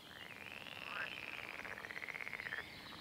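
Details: Red-necked grebe from a pair seen in April and May mating, catching northern crested newts and feeding chicks; a loud, rapidly pulsed wailing call that rises, holds, then falls, with quick regular beats about four a second before stopping abruptly.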